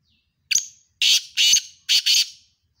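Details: Two black francolins calling in competition, 7 October 2022: a short, thin, whistled introductory note, then four loud rasping, grating bursts delivered in two close pairs, crisp and high-pitched, against a quiet background.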